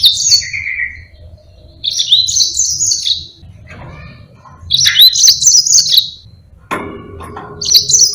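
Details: Yellow-fronted canary in sustained rolling song for tutoring other birds: bursts of high, sliding twitters and a lower steady whistled note, separated by short pauses, with a brief clatter near the end.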